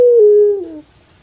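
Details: Puter pelung dove, a kept bird from Java, Indonesia: one short clear tonal coo, steady then gliding slightly downward and ending in a lower tail, under a second long, quiet background.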